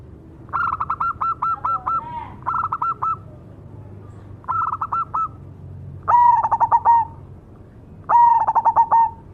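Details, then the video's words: Cemani zebra dove in full song, five rolling coo phrases over nine seconds. The earlier ones are pitched slightly higher than the last two, suggesting more than one singer. Each phrase is a series of quick throbbing notes. "suara burung berkutut cemani gacor mangung"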